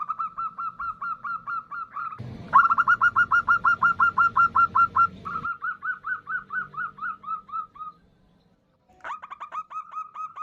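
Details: Female local zebra dove calling to a male, used as a lure: a sustained chain of brief whistled notes about three per second, a louder noisy middle section, a near-silent gap, then the series resumes.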